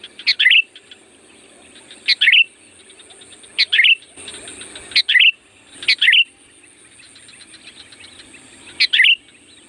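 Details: Sooty-headed bulbul used to call in wild bulbuls, singing loudly: six short fluty notes that drop in pitch, spaced one to two seconds apart, over a soft buzzing, chirring background.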